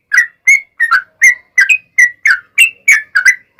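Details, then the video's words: Lively yellow-vented bulbul singing a long rapid-fire phrase meant to make other bulbuls respond: quick clipped chirps, some doubled, with slurred rising and falling inflections, about three notes per second, nothing else audible. "SUARA trucukan gacor ROPEL PANJANG pancingan trucukan agar bunyi"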